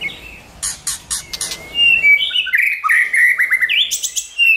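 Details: White-rumped shama song used to train and stimulate shamas; a few high chips over soft background hiss, then a long smooth whistle leading into a loud, rapid, jumbled warbling phrase.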